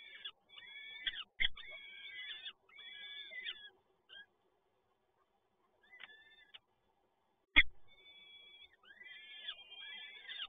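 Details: Peregrine falcon chicks being fed at a Toruń nest, 30 April 2022. Harsh, wheezy begging cries come in bursts separated by quiet gaps, with a sharp knock in the middle.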